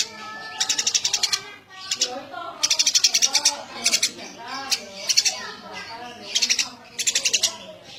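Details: Eurasian tree sparrow uttering clustered, high, piercing chirps in rattling bursts of four to eight notes, about seven bursts, with a soft low murmur between them.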